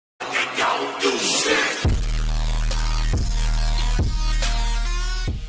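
Electronic music with a heavy, repeated bass beat and layered synth tones, opening with a brief noisy burst; no animal calls can be picked out.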